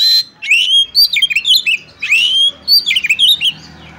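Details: Caged oriental magpie-robin (kacer) fighting song: two loud phrases of rich whistles, each opening with a long rising slur and breaking into quick melodic warbled notes, with a harsh rasp at the very start.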